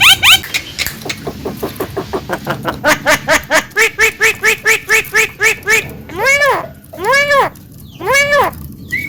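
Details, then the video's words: Singing Javan myna used as a training master for other cage birds: a quickening series of clipped harmonic notes that then slows into three long, arched, quack-like whining calls, ending with a short high whistle. "SUARA BURUNG JALAK KEBO PALING GACOR"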